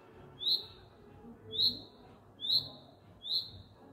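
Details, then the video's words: Spring courtyard bird that built a nest there and called for hours daily seeking a mate; four loud, high, downward-slurred chirps spaced roughly a second apart against soft low background noise. "Annoying loud bird?"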